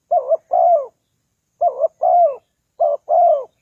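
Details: Spotted dove luring call for wild doves, three low mellow phrases, each a short trembling coo then a longer coo sliding downward, about one and a half seconds apart in near silence.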